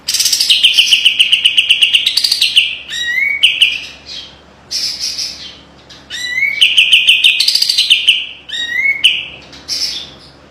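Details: Cream-vented bulbul, known locally as kapas tembak, in a training recording of sharp tight trilling song; rapid buzzy trills of even notes, some rising to higher pitch, in bursts separated by short pauses and an upslurred whistle.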